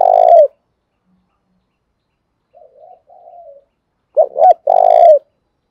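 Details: Spotted dove decoy cooing, played to make wild doves call back: one low rolling coo, a pause with a faint distant murmur, then a phrase of two short hooked notes and a long trilled coo.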